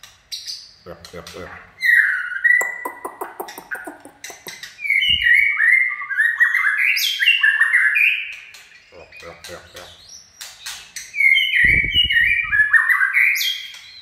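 A White-rumped Shama pours out rich, varied whistled phrases, sliding and rising, in quick flowing runs; brief low thumps and faint voices sound in the background.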